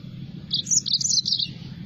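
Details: A yellow-fronted canary gives a brief, bright phrase of quick high chirps and trills, lasting about a second, above a low steady hum.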